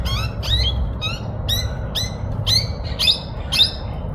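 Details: Young hooded parrots, said to be mating, give sharp chirping calls about twice a second over a steady low background rumble.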